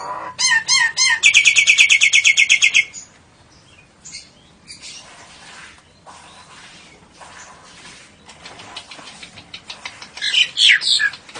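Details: Nias hill myna singing lovebird and canary variations: a loud, fast burst of harmonic chirps at the start, long soft rustling and faint ticks, then a closing cluster of sharp squeaky notes.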